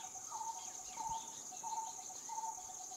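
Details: Coppersmith barbet giving four low, hollow, tonk-like notes at a steady pace, one about every two-thirds of a second, over a constant high-pitched insect buzz throughout.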